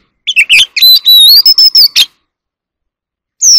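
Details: Oriental magpie-robin singing in a competitive song bout while displaying: a rapid burst of sharp notes, then a long clear whistle wavering slightly and rising, ending in a harsh note, with a final whistle after a short pause.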